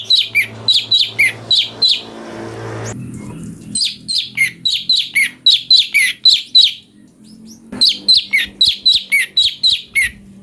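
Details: Cucak cungko (brown-breasted bulbul) singing, recorded as a master for magpie-robin training: three long bouts of rapid, rhythmic chirps at about four per second, split by brief pauses, with a rustling noise between the first two bouts.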